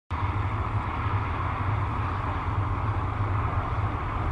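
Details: Loud, even rumble of wind-like noise begins abruptly and holds steady throughout, with no bird calls, recorded at a falcon nest site on 1 July 2021.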